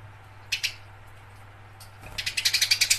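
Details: House sparrow fighting: after a brief pair of harsh chirps, a fast run of sharp, rasping chirps rapidly repeated, growing louder toward the end over a faint low hum.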